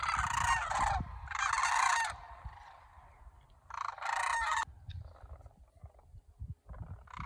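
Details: Restless cranes in Homer, Alaska, on September 9, 2023, some later leaving south in a V-line: loud bursts of rolling rattles separated by quieter gaps, with fainter distant calls near the end.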